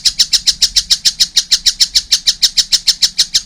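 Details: Young collared kingfisher giving an even, rapid string of harsh, scratchy notes, roughly six per second, loud and close.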